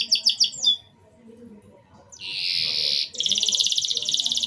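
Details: Canary singing in short bursts to prompt young canaries to begin singing: quick pulsed notes, a silent gap, then a long loud buzzing roll running straight into a fast high trill.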